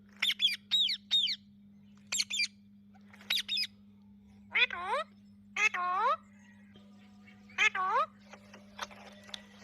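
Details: Blue and green pet Rose-ringed parakeets making natural talking sounds: quick high chirps in pairs, then several longer nasal harmonic calls bending downward, with scattered softer chatter and a low hum.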